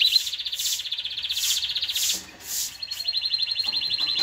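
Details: Canary singing to stimulate mating: a fast, pulsing high trill runs almost throughout, broken by a short dip before a sharper buzzy trill resumes.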